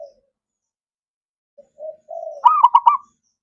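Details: Zebra dove song used to stimulate reluctant doves to sing: a few soft low coos build into one loud phrase of four rapid, throbbing notes near the end.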